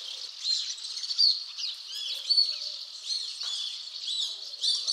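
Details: Alpine swifts calling in Hérault, France, in July 2022, overlapping high twittering trills and short sharp squeals in quick bursts, several birds at once.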